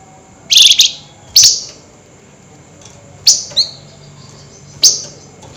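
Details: Flameback at night giving excited nyerecet chatter: four separate sharp, high, grating bursts spread over several seconds. The first is longest and rasping, and the others are short clipped notes, with faint hum between them.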